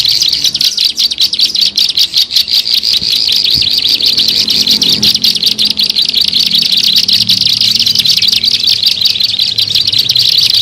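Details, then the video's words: Bar-winged prinia, called ciblek sawah, in a lure track meant to draw birds in: an unbroken stream of sharp high twittering and rapid buzzy notes, roughly two to three per second, with faint low background noise. "SUARA MP3 PIKAT BURUNG CIBLEK SAWAH"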